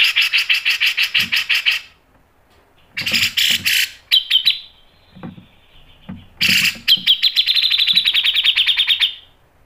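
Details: Grey-cheeked bulbul, sharp mbeset and ngepik singing: rapid rattling note series, harsh explosive bursts, brief thin trills, then a long even buzzy run of quick repeated notes, with faint low thumps between phrases.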